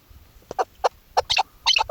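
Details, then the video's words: Female Chukar partridge, used as a hunting decoy, gives hoarse clucking notes, single and in quick pairs, about five bursts in two seconds, with nothing else heard. "shikari chakor ki awaz keklik sesi hunting season dasi madi awaz bast female sound"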